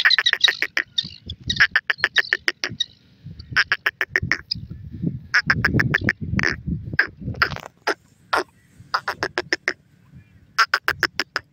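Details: Black francolin from Pakistan calling in excitement, a series of loud harsh rattling bursts made of rapid clicky pulses, grouped in runs with short pauses, repeated over about eleven seconds, with low rumbling handling noise beneath.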